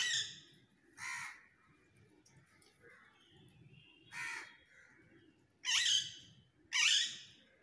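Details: Crow calling live in a duet with a parrot: five harsh, rasping caws spaced one to two seconds apart, the last two louder, over a faint background murmur.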